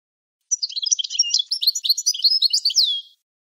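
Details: European goldfinch song recorded for teaching young goldfinches and hybrids: a quick jumble of high twittering notes and short liquid trills lasting about two and a half seconds, ending in a downslurred note, against silence.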